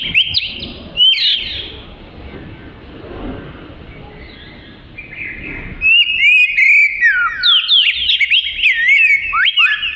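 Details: Oriental magpie-robin, a prolific singer recorded as fill material for training other birds: a few loud whistled notes open the clip, then several seconds of quiet background hiss before a lively run of rising and falling whistles.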